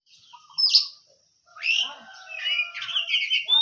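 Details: Oriental magpie-robin of the hot-tempered type: a loud rising whistled note, a pause, then a varied stream of sliding whistles and rich warbled phrases.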